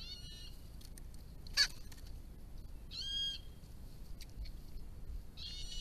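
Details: Grey-crowned babblers at a backyard pond built in 2017 for a local group, giving nasal, harmonic mewing calls in three separate bursts, with one sharp high note between them.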